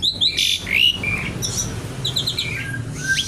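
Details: Javan pied starling singing with sharp squawks, clear whistled slides and quick stuttering notes in short bursts separated by brief pauses.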